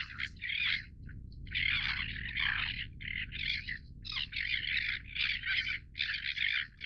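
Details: Greater crested tern calling: harsh, grating rasping calls in dense overlapping bursts, repeated almost continuously with brief gaps, suggesting several birds; low background rumble throughout.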